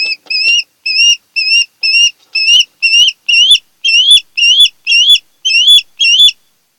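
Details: Ospreys at their Kent Island nest in Maryland, recorded by a nest camera in August 2018. A fast, insistent series of about thirteen shrill, slurred whistled cheeps, roughly two per second, growing slightly louder toward the end.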